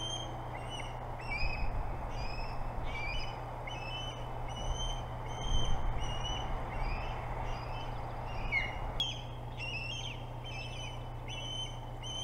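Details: Ospreys at a contested nest by the boathouse on Hog Island, Maine, where several birds are competing for the site during an altercation. Many short, high, downslurred chirps repeat in uneven bursts over a steady low hum.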